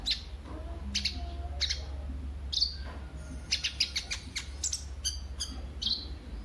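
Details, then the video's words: Kolibri ninja sunbird, used as a lure and master for other birds. Isolated high piercing chips come roughly once a second, then a quicker run of ticks follows. "Burung KOLIBRI NINJA anda LANGSUNG GACOR pancingan dan masteran KOLIBRI NINJA GACOR"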